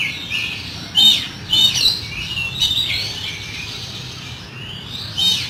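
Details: Oriental magpie-robin rough fill-in song: scattered bright whistled and chattering notes in short bursts with pauses between them, over steady low background noise.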